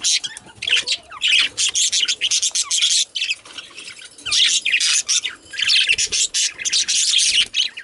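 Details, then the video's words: Male budgerigars keep up a busy, scratchy warble of rapid chirps, clicks and squeaks in quick bursts, with short gaps between phrases. "Male Budgies/Parakeets"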